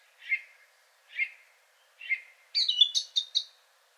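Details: Male Song Thrush with a richer, partly nightingale-like song: three identical soft whistled notes spaced about a second apart, followed by a quick tumbling run of high, sharp, chirping notes.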